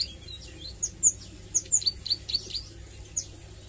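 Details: Juvenile Bar-winged Prinia (ciblek sawah) practising song, nglagu and nembak styles: a handful of thin, piercing high chips and short whistles, loosely spaced, against a quiet humming background.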